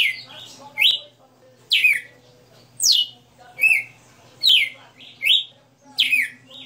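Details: Singing galo de campina, or red-cowled cardinal, caged, giving a 60-note song of loud downward-slurred whistles alternating with rising notes, steadily repeated just under once per second.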